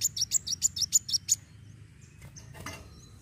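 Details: Kolibri wulung sunbird in fighting song used to spur other birds into singing: a fast run of about nine high, sharp notes in just over a second, then near silence with faint distant chirps.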